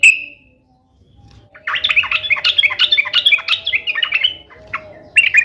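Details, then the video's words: Sooty-headed bulbul singing vigorously, meant to prompt pet bulbuls to reply; one whistled note, then a long rapid burst of chattering, bubbling phrases lasting about three seconds, ending with more quick notes. "SUARA KESUKAAN TRUCUK ❗ trucukan gacor SATU INI ahlinya JADIKAN burung trucuk gacor NYAUT SEKETIKA"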